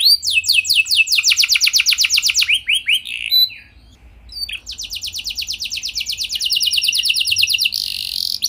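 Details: Lure song of a canary: quick series of down-slurred whistled notes in a rolling trill, a brief quiet gap, then another long fast trill ending in a buzzy burst.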